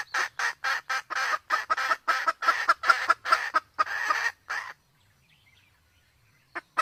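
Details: Sumatran red junglefowl, male and female, with a female in heat, recorded for use as a hunting lure; a rapid run of clear, hoarse clucks, about two per second, ending abruptly, then near silence.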